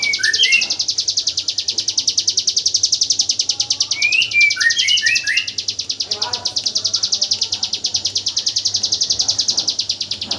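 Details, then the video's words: Hill prinia singing its 'AK47 burst' song, meant for teaching white-rumped shamas: an unbroken rapid stream of high, buzzy repeated notes, overlaid by short sweeping whistles and chirps from other birds. "Suara burung ciblek gunung tembakan AK47"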